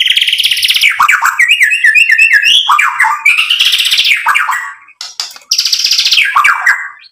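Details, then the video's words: Murai batu, the white-rumped shama, singing as a provoking lure and showing its learned material: dense, fast, varied phrases mixing rattling buzzes, quick whistled notes and sweeping slurs, with a short pause near the end. "MURAI BATU GACOR MEMANCING EMOSI JADI NYAUT BUNYI BONGKAR MATERI ISIAN | PANCINGAN MURAI"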